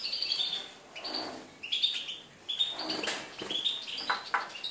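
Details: European goldfinch recorded on 4 February 2018, giving a high, fast twittering song of tinkling notes and short buzzy trills, with a brief hiss-like rush of sound in the background.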